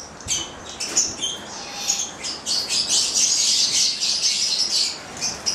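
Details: Italian-bred pair of nine-month-old Papuan lorikeets (goliathina), kept captive; high, thin squeaks and twittering chatter, rising into a dense shrill burst in the middle, with short pauses between phrases.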